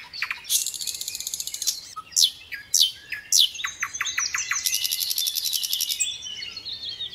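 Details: Sikatan londo song rich in fill phrases: buzzy rattles, loud sharp downslurred notes and a rapid series of chips, ending in another long dense rattle, with faint hiss underneath.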